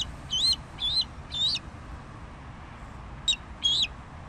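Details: Bald eagle giving short, high whistled notes that rise then level off, about two per second in a group of three, then a pause and two more notes.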